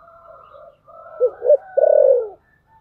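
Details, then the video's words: Decoy spotted dove calling in the 'thổ sấm' manner to lure wild birds. Gentle continuous cooing builds into two short rounded notes. They are capped by a long, loud, downward-curving coo. "Cu gáy Giọng thổ sấm/ Tiếng cu mồi thúc bổi"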